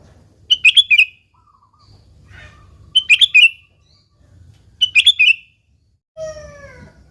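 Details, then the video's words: Kutilang, the sooty-headed bulbul, in lively gacor song meant to provoke other bulbuls. Short gurgling bursts of quick liquid notes repeat about every two seconds. A brief different nasal call closes the recording, with a low background rumble throughout. "Suara Burung Kutilang Gacor ASLI Tanpa isian,Ampuh tuk pancingan Kutilang bikin kutilang Ribut gacor"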